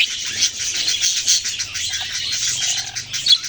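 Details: Baby budgerigars chirping in a dense, continuous chatter of high, scratchy tweets that overlap without pause, with a faint low hum underneath.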